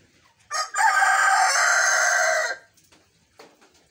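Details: Homestead rooster with a crow described as oddly lazy: a short clipped opening note, then one steady, hoarse, sustained tone of about two seconds that stops abruptly, followed by near silence and a faint later sound.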